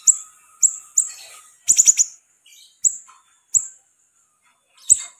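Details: Caged siri-siri bird in lively song: a string of single high, sharp, slurred chirps about half a second to a second apart, with one quick burst of four rapid notes, and a faint steady hum in the background.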